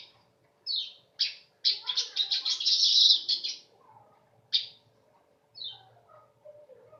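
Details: Weaver song: several downward-slurred high chips, then a long sizzling buzzy chatter of about two seconds, followed by more isolated swept notes; faint low hum behind.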